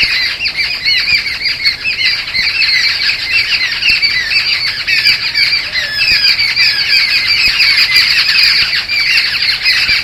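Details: Satpura jungle babblers, a resident flock by the lodge, giving distress calls whenever the recordist appeared in the first week; ten seconds of unbroken, scratchy squawking from many overlapping birds, harsh and nasal.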